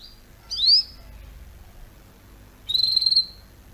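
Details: Canary song intended for teaching young canaries to sing: two separate high, thin whistled notes, the first a quick upward-sweeping slur, the second a longer trilled, slightly wavering tone, separated by nearly two seconds of quiet.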